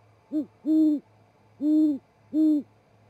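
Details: Great horned owl pair at 07:25 MST in Charlo, Montana, male arrived at perch and mate following, calling before going to roost: four deep, soft hoots, one brief then three longer even notes about a second apart, faint low hum.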